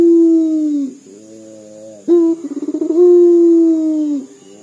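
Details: Indonesian local puter dove, its call described as resembling crying: a falling low hoot fades out, then a new coo starts with a short note and a quick stutter before a long, mournful, level tone.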